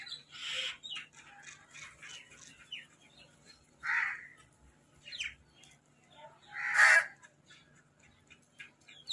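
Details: Crows fighting for food alongside mynahs: three harsh, raspy caws about three seconds apart, between them a busy scatter of squeaky, chattering notes from smaller birds.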